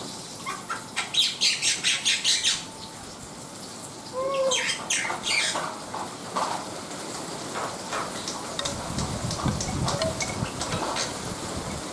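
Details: Black-winged myna in full song, opening with a rapid series of about ten harsh, rasping notes, then a short low whistle and scattered scratchy chatter that fades to softer notes.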